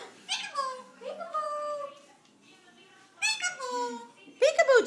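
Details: Eclectus parrot talking indoors: short speech-like phrases in a harmonic, voice-like tone, separated by pauses, ending in a louder, squeakier burst of words.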